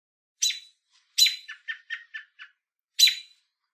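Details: An adult American robin in Southern Ontario, Canada, gives a loud warning call of sharp, shrill squeaks and a quick run of five lower clipped tuts, warning off a person near its hopping fledglings.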